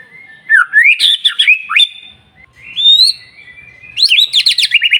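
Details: White-rumped shama in full song, played to provoke other shamas into singing: bright high whistles sweeping upward, a long pure rising note, then a rapid chattering run of high notes at the end.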